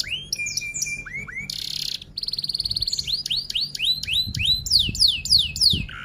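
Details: F1 canary singing a long song with rolls and tembak shots: short whistles, two buzzy pulsed rattles, then loud evenly spaced falling whistles about three per second.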